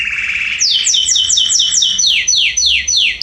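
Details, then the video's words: Canary song in a garden, September 2020: a rolled trill leads into a rapid run of about a dozen clear, repeated downward-sweeping whistled notes at a quick, even pace. "Canaries singing in my garden September 2020"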